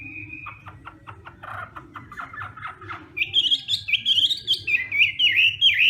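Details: Morning voice-training song of a Hwamei in fighting-song style: a run of quiet, evenly repeated clipped notes gives way to loud, rich, rapidly modulated warbling phrases, with a low hum beneath.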